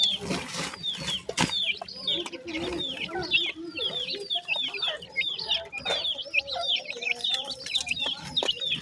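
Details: Painted francolin chicks in their first days, a brood giving dense overlapping high peeping notes, many short downslurred cheeps repeated rapidly throughout, with a few sharp knocks and low handling noises at the start.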